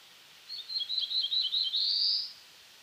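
A black-throated blue warbler sings a lazy, buzzy series of high notes that ends in a longer, rising buzz, lasting under two seconds against faint background hiss.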